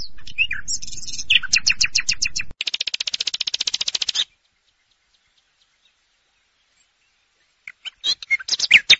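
A common nightingale sings in varied bursts: quick high chirps, then a long rapid run of repeated notes, a pause, and sharp whistled phrases returning.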